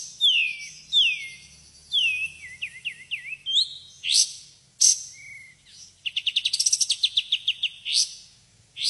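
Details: White-shouldered triller singing its 'tembakan' burst song: sweeping downslurred whistles and bent notes, then sharp clipped notes and a fast run of rising chips near the end, with a faint low hum beneath.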